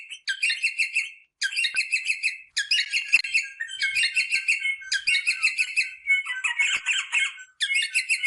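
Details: Rosella song for encouraging mating: a string of rapid chattering phrases repeated again and again with short pauses, some phrases rougher and lower in tone.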